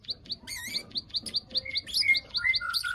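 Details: Ciblek (Bar-winged prinia) 'klik klik' lure call meant to trigger breeding condition: quick high ticking notes about four per second, overlapped by lower sustained whistles and brief warbled phrases.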